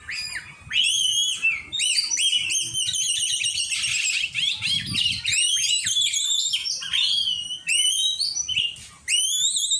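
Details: Oriental magpie-robin during song training, practising together with other birds: a loud, continuous, rich medley of high whistles, rising slurs and rapid chattering trills, with brief pauses near the start and end.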